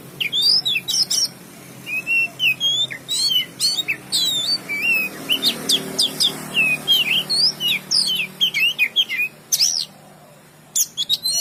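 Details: Kacer, the oriental magpie-robin, in full song: quick bursts of sharp high whistles, twisting slurs and clicks separated by short pauses, with a soft low background hum.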